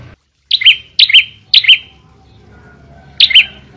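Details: A vocal prinia gives loud, sharp double-noted chirps, three in quick succession about half a second apart, then one more after a pause, over a faint low hum.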